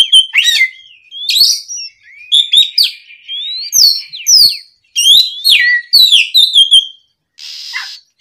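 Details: Lure song of an oriental magpie-robin in full voice on an afternoon: varied clear whistles, rising slides and chattering notes in lively bursts, ending with a short buzzy rasp.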